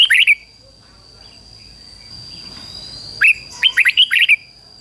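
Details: Red-whiskered bulbul used as a decoy singer to lure wild birds, giving a single brief whistled note, then after a pause a loud phrase of five quick, bright, warbling notes, with a steady faint high hum throughout.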